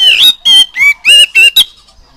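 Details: Kacer (Oriental magpie-robin) song played to young birds so they learn to sing fast. Six bright whistled phrases come in quick bursts, mixing upward slides and level ringing tones, before a quiet tail.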